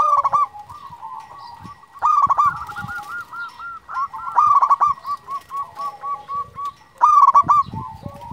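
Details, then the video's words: A zebra dove of local stock, a champion caller, sings to stimulate other doves. Loud rough coos open and close the passage, with a long run of evenly pulsed softer coos between them. "Perkutut lokal gacor Juara memanggil"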